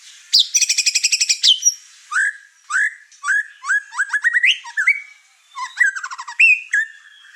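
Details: White-rumped shama singing in an over-excited state, setting off the other birds in the house; a quick high rattle opens, then separate rising whistled notes and short trills, spaced with brief pauses.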